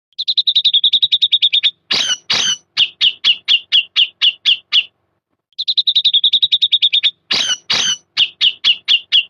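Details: Grey-cheeked bulbul in the ngepik and beset styles: a fast run of clipped, high, even chirps, then two harsh rasping bursts and a row of spaced sharp notes. The whole phrase repeats after a short silence.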